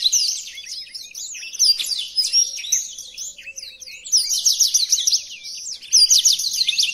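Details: {'caption': 'Tutoring song of a black-throated canary: high, rapid twitters and thin whistles in overlapping bursts, with louder trilled runs near the middle and the end and no background noise.'}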